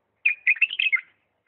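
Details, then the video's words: Diyala bulbul song in the refined 'lisanat' style: a rapid chain of about seven fluty, warbling notes rising and falling in under a second, with a clean, silent background. "اجمل تغريد بلبل ديالى طور لسانات راقيه"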